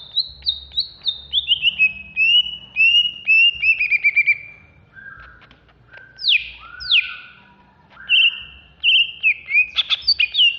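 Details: Greater green leafbird from Alas Purwo, caged in Jatiasih, Bekasi, singing agitatedly: a long cascade of clear, evenly spaced descending whistles, then two steep upsweeps, low whistles and a final flurry of sharp notes.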